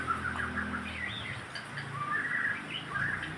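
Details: White-rumped shama song meant to stimulate other birds to sing: a run of varied clear whistled notes, some rising and falling, over a steady low hum and background hiss.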